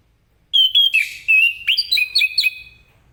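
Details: Morning ngeplong song of an Orange-headed thrush, used to get other birds singing; a lively sequence of about ten clear whistled notes, some sliding upward, delivered quickly in one phrase.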